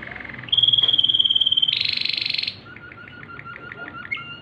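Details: Waterslager canary singing at night, with a long steady whistled tone, a dense buzzy rolling trill, then a quieter series of short repeated pulsed notes over a lower held tone; faint low hum behind.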